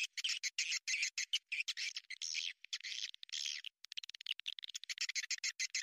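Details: Swiftlet lure sound for attracting birds to a nesting house: clusters of sharp, scratchy high chirps, then a quicker stutter of short clicks and tweets near the end.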